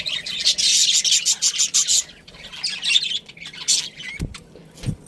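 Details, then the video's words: Pet budgie pouring out a rapid string of harsh chirps for two seconds, then quieter irregular chatter and a couple of low knocks. "cute budgie chirping sounds"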